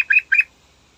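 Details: Yellow-vented bulbul singing in the morning to lure other birds into song: two quick bubbly, slightly rising notes in fast succession, clear against a quiet background.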